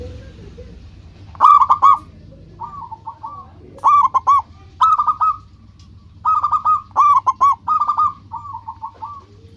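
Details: Lively local zebra dove song used as a lure: repeated short phrases of clipped, bouncing coos, alternating with quieter trailing trills, spaced by gaps of about a second over a low hum.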